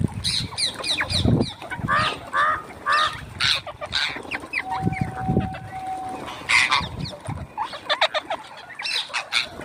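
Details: Parrots at home indoors, calling almost continuously with loud, rasping, repeated squawks in quick bursts. A steady thin tone runs for a couple of seconds midway, over background room noise.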